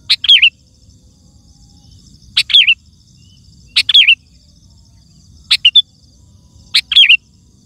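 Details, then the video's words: Lively sooty-headed bulbul song, a lure for wild birds and a tutor for caged kutilang: five brisk bubbly phrases, each a sharp note then quick warbled twists, roughly every one and a half seconds. "Suara Burung Kutilang Gacor❗ Lantang Bikin Gacor Kutilang Lain"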